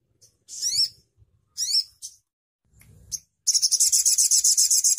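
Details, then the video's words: Crimson sunbird: two thin, high rising sweeping phrases, then a soft low rustle, then a fast, loud buzzy trill of rapidly repeated high notes. "Suara Burung Sogon Ontong"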